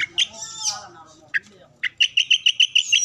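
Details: Oriental magpie-robin song meant to draw responses from other birds; soft warbling and scattered single notes give way to a steady string of eight bright repeated notes, fast and evenly spaced.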